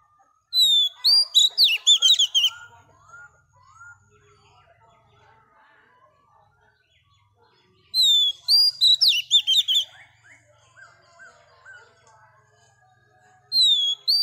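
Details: Wild-caught female Oriental magpie-robin singing to stimulate males. Two loud bursts, each about two seconds of fast, tumbling whistled notes, are separated by quieter scratchy twittering. A third burst starts at the end.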